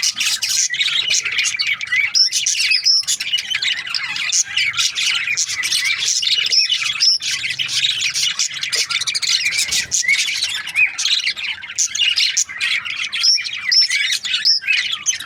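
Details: Fifteen seconds of nonstop budgerigar chatter from breeding pairs, a dense wash of scratchy warbling with sharp little whistled peaks recurring now and then.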